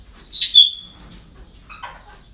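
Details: A parrot at a breeding centre gives one rasping screech that trails into a thin whistled tone, followed by a brief, lower, softer squawk.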